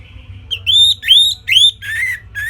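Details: Loud Orange-headed thrush phrases from a simple tutor song for training songbirds: four clear, ringing whistles rising and arching, each about half a second long, followed by lower, buzzier notes.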